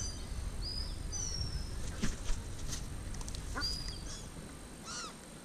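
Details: Gulls being fed chicken mince at Hovindammen lake give short, thin squealing calls, some rising and falling, scattered over a steady low rumble with a few faint knocks.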